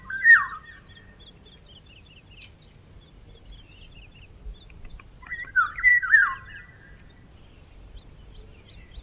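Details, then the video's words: Eurasian golden oriole (Oriolus oriolus) singing two rich, fluting, yodelled phrases about five seconds apart, with faint high chirping from other small birds in between. "Пение обыкновенной иволги"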